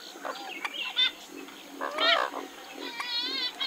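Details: Western swamphen uttering loud, wavering, trumpeting and cackling calls, several strident bursts with stacked harmonics in under four seconds, amid a busy wetland bird chorus.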